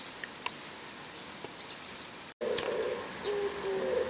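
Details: Oriental turtle dove calling in the morning from atop a house antenna, low hollow coos in short mellow phrases, two calling bouts joined, with thin high chirps of other birds in the background.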